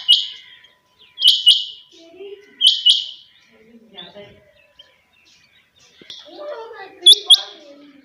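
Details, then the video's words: Captive quail calling in the early morning: sharp, high, paired call notes repeated every second or so, then softer, lower chattering and faint background sounds toward the end. "Suba ky waqat chinga batair ki awaz/morning sound of Quail bird"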